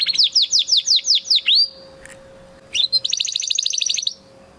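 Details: Spanish Timbrado canary of 2020 breeding singing training song: a series of loud, slurred, downward-sweeping notes, a pause, then a quick burst of high, rapidly repeated chirps, over a faint constant hum.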